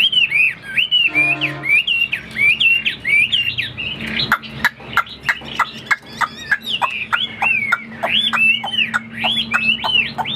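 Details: Caged hwamei fighting bird showing off with spread wings: clear arched whistles repeated more than once a second, rising and falling in a bouncy rhythm, with snapping clicks and a steady low hum.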